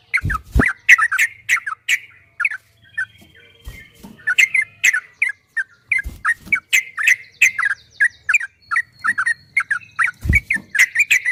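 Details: Yellow-vented bulbul singing the long 'ropel' song from a 2023 recording made to coax caged bulbuls into answering: a running series of quick, liquid chirps, about three notes a second, with scattered dry clicks and thumps.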